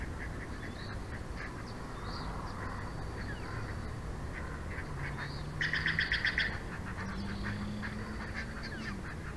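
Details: At the Big Bear Valley bald eagle nest of a resident pair, 06/04/2024, 22:36, scattered soft chirps lead into a brief quick burst of sharp high-pitched notes, then a few faint calls, with constant low background rumble.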